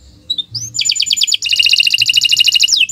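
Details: Canary singing a long, continuous morning song: a brief rising whistle, then fast rattling trills of high, bright repeated notes that run without pause to the end.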